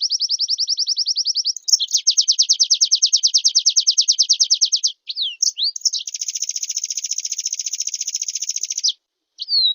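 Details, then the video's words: Responding Oriental white-eye delivering long, fast, high trills one after another, some clear and ringing and a later one buzzier and steadier, with brief sliding chirps between bursts. "Suara Pleci Gacor Full Isian Direspon Langsung Nyahuut"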